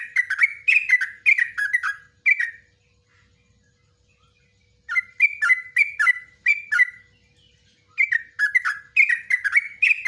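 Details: Long 'ropelan' song of a yellow-vented bulbul, meant as tutor material for cage birds: three bursts of bubbling, warbled notes with clicking 'nguklik' accents, separated by pauses of about two seconds of silence.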